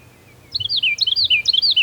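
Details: Wild bird singing outdoors on October 5, 2022, recorded on a phone with a stereo microphone: a fast, bright phrase of high whistled notes sliding downward, rapidly repeated after a brief pause, with faint low background hum.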